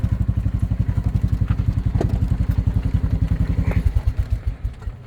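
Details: An engine idles with fast, regular low thumping pulses and a few clatters, and no animal voice stands out.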